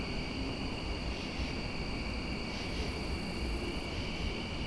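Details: Loud broadband rumble like a passing aircraft or train, with steady high tonal whines and no animal sounds.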